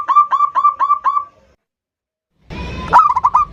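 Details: A local zebra dove's 'ndudut' variation song, used as a lure to provoke a rival. Six quick, bubbling coo notes run together, then silence, then a burst of rustling noise with more quick coos.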